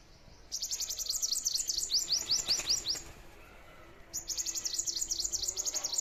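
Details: Sparrow chirping in a garden: rapid, very high, thin chirps, each sliding downward, in fast bursts of about three seconds separated by a short pause, with a quiet background.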